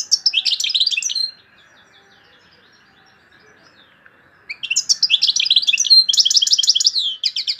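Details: Algerian European goldfinch singing a loud song with torojio, kaka jio and borouis phrases: bursts of rapid liquid twitters and buzzy trills, a silent pause of about three seconds, then another energetic twittering run.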